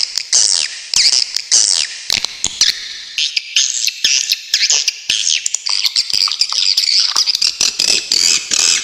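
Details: Swiftlet masteran with sharp besetan: high, thin chirping twitters in quick clusters, broken by tiny gaps early on, then a near-unbroken shrill chatter of squeaks and trills toward the end.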